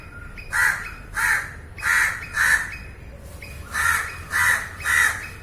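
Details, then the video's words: Crow cawing in a field recording, harsh broadband caws in two bursts of three and four, roughly half a second apart, with faint higher calls of other birds between them. "烏鴉叫聲 烏鴉呱呱叫👂烏鴉聲音效 現場錄音👍Crow Calling"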